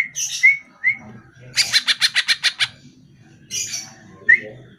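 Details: Greater green leafbird song used to get caged birds to answer: short clear whistled slurs and buzzy bursts, then a steady rattle of about ten harsh pulsed notes, ending with another whistle.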